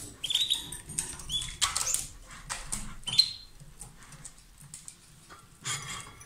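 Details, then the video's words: Two lovebirds calling strongly as they kiss or exchange food: a few shrill squeaky chirps mixed with broad rasping bursts, then quieter scratchy sounds. "Gli inseparabili | 20minutes Love birds Sound"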